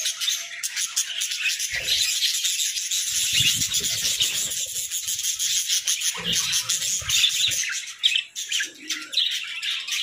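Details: Budgerigars playing together in a cozy hut, a dense unbroken mass of high warbling chatter and chirps from many birds, with soft low thumps and rustles now and then.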